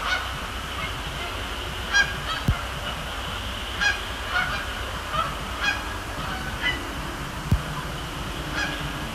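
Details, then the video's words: Canada geese at night at Sapsucker Woods Pond, Cornell Lab of Ornithology, on a Thursday in late October, flying over and splashing down; scattered loud nasal honks from several birds over a steady low rumble. "Canada Geese, Thursday night at Sapsucker Woods"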